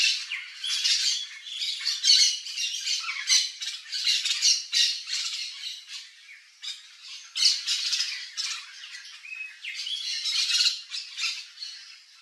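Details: Wild Yellow-faced Parrots visiting a backyard in Brazil's Cerrado biome give harsh, raspy squawks in dense, overlapping bursts that follow each other almost without pause through the recording, loud and broadband.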